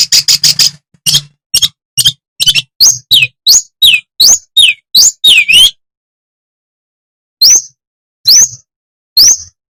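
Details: Madura long-tailed shrike in lively, persistent song meant to provoke other shrikes: a burst of rapid clicks, then sharp chips and upslurred then downslurred whistles at about three per second, and after a pause three rising whistled notes, over a low hum.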